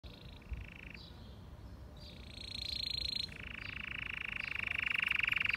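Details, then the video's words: A white canary sings in long, even rolling trills, high and bright, each tour held steady for a second or more and growing louder toward the end. "Canary bird singing for training _ the best chirping of white canary bird"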